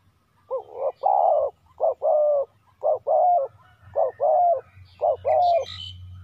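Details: Spotted dove decoy calling to draw in wild doves, delivering paired coos (a short note then a longer one) roughly once a second, with low rumbling background noise.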